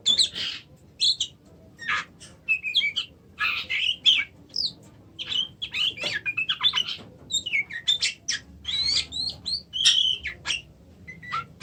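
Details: Long stretch of Oriental magpie-robin song built from crisp clicks, chips and short whistled flourishes, repeated in fast irregular bursts throughout.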